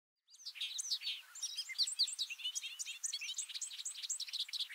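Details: A male Bobolink in a grassland at Heaven Hill, Lake Placid, NY, in May 2022 sings its lengthy song: a rapid, bubbling tumble of high metallic, banjo-like notes poured out without pause, with no other sounds behind it.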